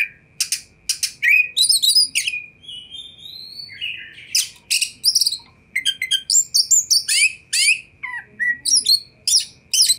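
Oriental magpie-robin singing a rich, fast run of sweet whistles, sharp chips and rising slurs, with brief pauses between bursts; a steady faint hum underneath.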